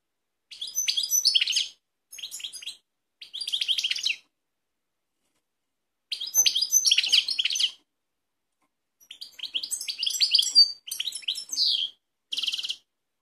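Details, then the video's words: European goldfinch of the Balkanika type recorded in Kumanovo, Macedonia, 16 March 2018, delivering several bursts of liquid, high-pitched twittering with buzzy notes and quick trills, separated by short pauses, the last phrase ending in a clear nasal note. "Balkanika Goldfinch song"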